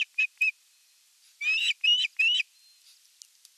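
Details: Evening feeding at an osprey nest, 30 June 2022, nest camera: two short whistled chirps, then three longer, harsher rising notes close together, with faint rustling afterwards.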